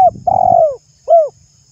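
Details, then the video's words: Spotted dove, a familiar cage bird, cooing to spur other birds into song: a brief coo, a long sustained falling coo, then a short downslurred note after a pause, with light low rumbling and a faint high hiss. "Tiếng chim cu gáy kích bổi mỗi ngày"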